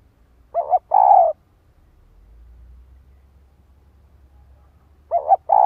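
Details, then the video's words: Spotted dove female giving a provoking call toward a male: two quick soft notes, then a drawn-out low coo, with the phrase beginning again after about four seconds. "Cu gáy kích bổi - chim cu gáy gọi"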